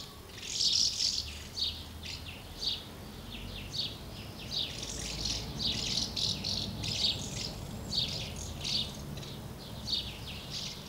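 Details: Common house martins gathering at two nests, feeding young and flying out, 24 August 2012; dense bursts of short, high, scratchy chirps in rapid overlapping series throughout, from several birds at once, over a low background rumble.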